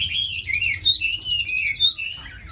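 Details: Chinese hwamei, a tame cage bird in Hanoi, Vietnam, singing eagerly with a fine voice: smooth, clear whistled phrases gliding and wavering, with a few brief sharp accents, over faint hum.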